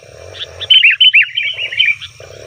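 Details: Brief excited chatter of a sooty-headed bulbul, a noisy call used to lure wild bulbuls: quick, slurred, bubbly notes run together over about a second and a half, with a low hum and a muffled buzzing beneath.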